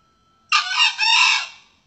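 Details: Male red junglefowl crow used as a lure call for trapping and hunting, said to attract both males and females: one harsh, broad crow lasting about a second, in two linked parts with a brief dip between.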